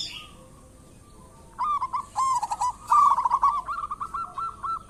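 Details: Local zebra dove cooing vigorously, used as a lure: quiet at first, then a run of bubbly stuttered coo notes rising to a loud rolling phrase that trails into soft repeated coos.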